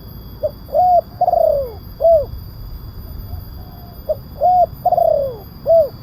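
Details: Spotted dove lure call with a loud voice: two phrases of a short note, a rounded coo, a long downward-sliding coo and a closing coo, about three seconds apart, faint electrical hum throughout.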